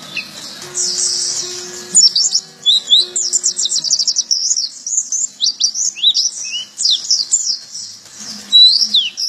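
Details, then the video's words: Oriental white-eye pours out a long, high, rapid twittering song of quick sweeping chirps and trills, with a faint low hum early on. "pleci lokal lasrol isian"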